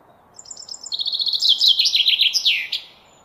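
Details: Common chaffinch singing one complete phrase: quiet thin notes that accelerate into a bold, tumbling run falling in pitch, finished by an emphatic downward flourish against faint hiss.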